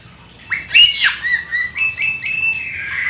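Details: Black-winged starling singing energetically with a full repertoire of mimicked fill-in phrases; a quiet start, then harsh squawky notes followed by a run of clear, slightly rising whistles repeated about every quarter second.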